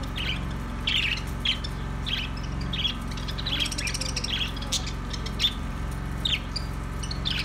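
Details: Budgerigars trading quick high chirps roughly every half second to second, fairly evenly through the stretch, with a steady low hum behind.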